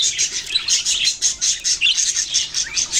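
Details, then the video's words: Budgerigars, Australian parrots, chirping in rapid rhythmic bursts of scratchy warbled notes, almost evenly pulsed, with occasional sharper whistled chirps. "Birds chirping sounds Beautiful Australian parrots"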